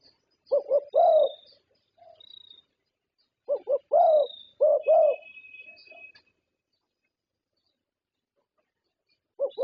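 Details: Champion zebra dove from Thailand, a prize-winning contest bird, giving repeated phrases of short staccato notes running into a rolling purr, with thin high chirps from other birds behind.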